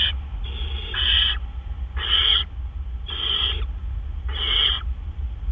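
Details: Great horned owl giving harsh, hissing screeches about once a second, each half a second long, over a steady low rumble, at 1:43 AM on April 10, 2013, as the male delivers a gopher.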